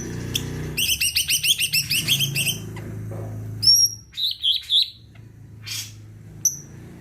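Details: High-pitched song of a greater green leafbird in full voice, used to get other birds singing: a fast stuttering series of ringing chirps for two seconds, then scattered clear whistles and thin high notes, with a low background hum.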